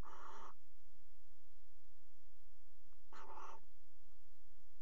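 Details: Barn owl pair pairing on the ledge of a nest box inside a water tower, Netherlands, February: two raspy screeches, the second slightly broken, about two and a half seconds apart, against low hum.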